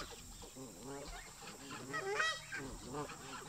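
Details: Park geese squabbling with migrating newcomers, a flock giving repeated harsh honks, with a louder, higher burst just past the middle.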